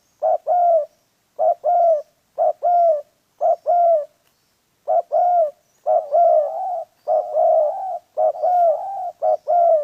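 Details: Trapping decoy spotted dove cooing steadily, short note then longer mellow coo, phrases coming about once a second, growing more continuous and overlapping toward the end.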